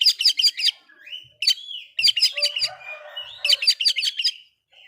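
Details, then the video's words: Oriental magpie-robin singing to provoke other magpie-robins: quick runs of rasping, chattering notes in tight groups, broken by smooth rising and falling whistles, about one burst every two seconds, otherwise quiet. "Suara burung kacer bikin emosi kacer lain"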